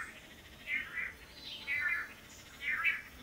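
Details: Male long-tailed manakins performing courtship display before a female at a lek in Costa Rica; three harsh, buzzy bursts spaced about a second apart, each with a wavering twang, against soft background hiss.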